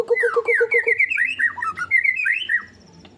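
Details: White-rumped shama (murai batu), a kept songbird, in its 'nembak' singing style: rapid low repeated notes at about four per second, then a fast rambling string of bright whistled, slurred phrases before fading out.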